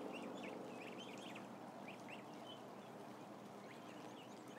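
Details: A large brood of about a thousand ducklings chirping, with bursts of high looping peeps close together early on, then scattered calls against continuous background hum.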